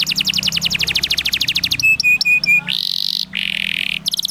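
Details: Canary, kenari, song used as a master recording for training young canaries: a fast rolling trill of high repeated notes, a few clear whistled notes, then long buzzy sustained rolls broken by brief gaps.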